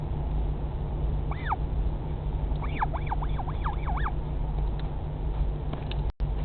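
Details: Chick of the northern royal albatross calling from its nest at Pukekura/Taiaroa Head, Dunedin, New Zealand, 2017; one looping squeak, then a rapid string of five or six bending, whistly notes, with constant low wind roar behind.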